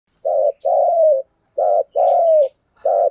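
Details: Spotted dove decoy bird giving the lively, tense 'thúc gù' driving coo: low hooting notes alternating short and drawn-out, the long ones gliding slightly downward, five notes in about three seconds, clean background.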